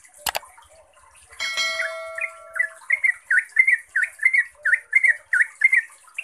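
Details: Yellow-vented bulbul, a lure recording meant to make other bulbuls answer; a sharp knock and a brief steady whistle-like tone open before a steady train of quick, bubbly, chattering notes repeated about every half second.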